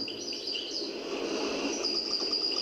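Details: Caged European goldfinch in Algiers (El Biar area) singing, seemingly improvising and perfecting its song: high, thin, sustained notes with faint twittering over a steady background hiss.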